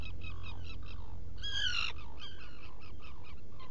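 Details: Black guillemot at a nesting burrow on Seal Island NWR, Maine, June 2018 morning; a series of short peeps interrupted by one loud wavering high whistle lasting about half a second, low hum throughout.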